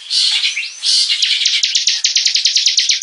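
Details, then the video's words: Bar-winged prinia (ciblek) in lively hobby-bird song: smooth looping high whistles give way to a brisk, regular string of clipped descending notes. "Kicau Burung Ciblek Gacor"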